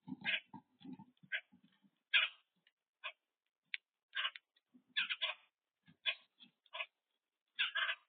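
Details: Boat-tailed grackle recorded by a bird cam, giving a rapid series of rasping, harsh chack-like notes, some doubled, with quiet low thumps and scuffling early on.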